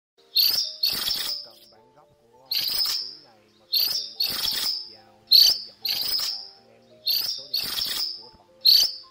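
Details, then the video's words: Cuckooshrike calling to its flock: loud, harsh, screechy bursts, often in close pairs, repeated roughly every one to two seconds. Fainter, tonal warbling notes from other birds run underneath. "Tiếng Chim Phường Chèo Trắng Lớn , Chim Chèo Bẻo Trắng Đầu Đen Gọi Bầy"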